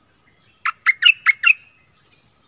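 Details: A captive decoy Streak-eared bulbul, recorded 16 February 2021, gives one short phrase of five sharp, bubbly chirps in quick succession against a steady faint high-pitched whine.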